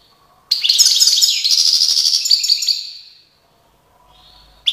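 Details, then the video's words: Goldfinch song from Tiaret, 2019, one long phrase of fast, liquid twittering and chirps lasting about two and a half seconds, tapering off, followed by a faint quieter note and a brief click. "chant chardonneret tiaret 2019"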